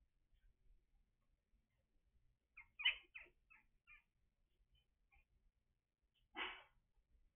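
Young common ravens give a quick run of five or six high, squeaky, nasal calls, then one loud harsh rasping squawk a few seconds later.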